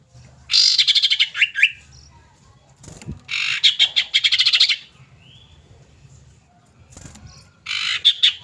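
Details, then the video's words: Female common iora calling a male, used as a lure recording: three loud buzzy chattering bursts, each about a second long, made of rapid repeated notes, separated by pauses with a faint low background rumble. "pancingan wajib cipow/sirtu bahan jenis apapun agar cepat bunyi dan cepat GACORRR"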